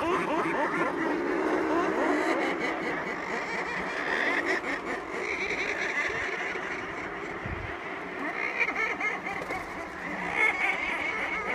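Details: A dense murre colony on Coats Island, Nunavut, recorded close up, fills the air with harsh, growling, purring calls that overlap continuously, rising and falling in a constant roar of many birds.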